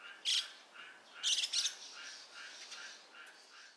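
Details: Dusky thrush (Turdus naumanni eunomus), recorded 27 January 2021, giving harsh, squawky chack notes: a single one, then a quick pair about a second later, with faint high chirps in a background of separately recorded ambient sound.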